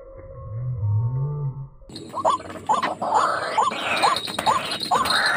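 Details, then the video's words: White-breasted waterhen call used as a lure for trapping birds near residential housing: a low rumble for two seconds, then six hooked, rising-falling notes at a steady pace over background noise. "Racik burung ruak ruak galak"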